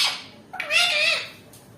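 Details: Indian ringneck parakeet, described as angry and fighting, giving a loud harsh drawn-out screech with a rising then falling tone lasting about half a second, indoors, with a brief earlier squawk.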